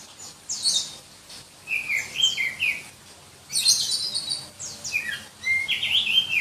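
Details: Kacer dada hitam, the black-breasted Oriental magpie-robin from Berau in East Kalimantan, in shrill, tightly packed song: bright whistled slurs and rapid high twittering phrases in bursts roughly every second, valued in Indonesian songbird contests.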